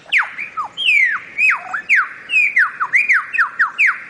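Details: Quick series of loud, clear whistles from a bird-of-paradise, each dropping in pitch, about three notes every second, delivered in an eager, rhythmic stream.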